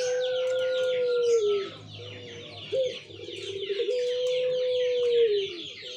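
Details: Barbary (ringneck) dove recorded 17 November 2021 gives long, drawn-out coos, each held low and steady for over a second before sagging at the end, with a busy chorus of small birds chattering behind.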